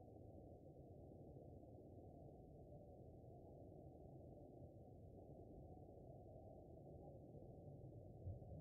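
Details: Steady low rumbling noise confined to the lower range, with no bird or other animal voice anywhere.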